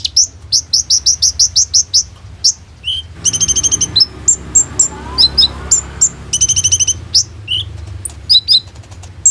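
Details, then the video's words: Kolibri ninja sunbird in full song, kept as a lure for konin birds and recorded on an Oppo A37f phone. Evenly spaced high chips open the passage, then dense rattling trills and darting high notes follow. "KOLIBRI NINJA GACOR FULL NEMBAK ISIAN ROLL TEMBAK INI, COCOK BUAT PANCINGAN KONIN"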